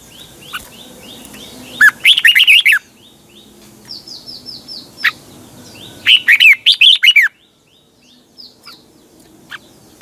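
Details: Red-whiskered bulbul morning song in the "double twisted voice" style, used as a lure to train caged birds: two bursts of rapid, warbling, up-and-down whistled notes, with softer thin whistles and a low hum between them.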